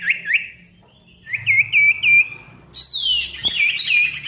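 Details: Ashy tailorbird song meant to get silent tailorbirds singing again: a few upslurred whistles, then a quick run of rising notes, followed by a louder, higher burst of chirps.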